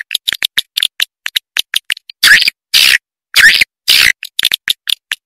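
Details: Swiftlets, calls used for attracting the birds: quick series of short high clicks, about two per second, broken by longer raspy, noisy buzzing notes.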